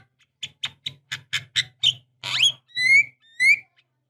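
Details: Javan myna used as a lure to make silent birds sing, with a female said to be calling a male: a series of short harsh chattering notes, then a loud rasping squawk and two clear rising whistles.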